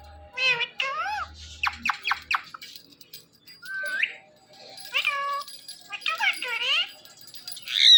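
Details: Indian ringneck talking parakeet: bursts of quick harmonic speech-like syllables, rising and falling, with pauses between short phrases.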